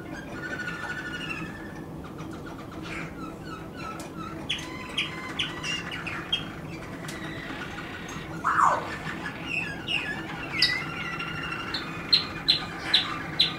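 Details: Waterslager canary, 2016, singing scattered chirps and whistled phrases amid faint background hum, building toward a closing series of sharp, evenly spaced high notes.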